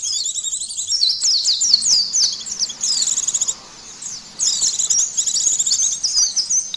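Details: White-eye from Indonesia heard in a test of emotion and arousal: a rapid twittering warble of high, sliding notes, broken by one brief pause before continuing.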